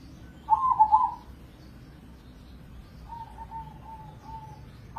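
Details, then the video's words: Crossbred zebra dove, an award-winning contest singer heard morning to night. One rich, trilled coo phrase comes first, followed by a softer, drawn-out series of even low notes. Another phrase begins at the end. "Pancingan Pekutut Crossing Gacor Dorr"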